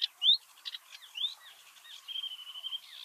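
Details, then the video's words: Reed bunting (Emberiza schoeniclus) singing in Uitgeest, the Netherlands, in 2023: a short, halting phrase of sharp chips and rising notes ending in a thin, buzzy trill; a sedge warbler in the background; faint outdoor ambience. "Singing Reed Bunting"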